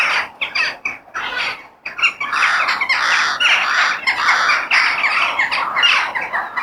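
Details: Crow calls in nature: scattered harsh caws at first, then a thick, continuous chorus of grating squawks from many birds.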